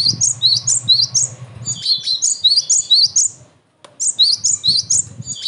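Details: Cinereous tit pouring out a fast series of high upslurred chirping whistles, nearly continuous apart from one brief break, with low rumble at the start; recorded as a lure and training song for other tits.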